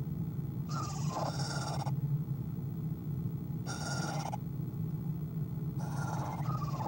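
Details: Quiet owl sound at the nest, nest camera, 1:20pm, 5-11-2015: three rasping, airy bursts, the first and last split into two parts, with a faint tonal edge inside them, over a constant low background drone.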